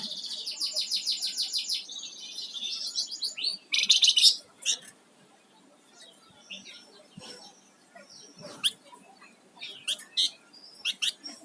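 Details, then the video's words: Flamboyan songbird in lively singing form, opening with a rapid, regular trill of high buzzy notes for about two seconds, then a loud burst followed by scattered sharp high chips and short whistles amid a faint background hiss. "Suara Burung Flamboyan Gacor"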